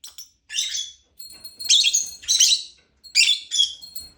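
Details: Lovebird giving loud, piercing chirps in three or four drawn-out, grating bursts with faint tonal whistles between them.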